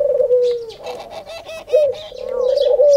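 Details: Khumra (singing dove), said to call "Haq Allah Hoo" daily at prayer time: a falling coo, a burst of busy twittering from other birds, then a rising, swelling coo.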